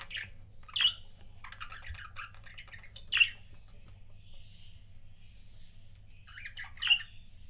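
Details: Pet budgerigar pair giving sparse calls: three loud, sharp squawking chirps spaced about two to three seconds apart, with softer, quick chattering and a thin whistle in between, low indoor hum beneath.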